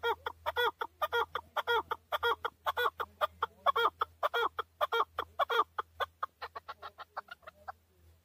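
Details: In Tajikistan, 2020, a male chukar gives a long series of strident clucks, about two each second, strong at first, then thinning to softer, higher clicks before stopping.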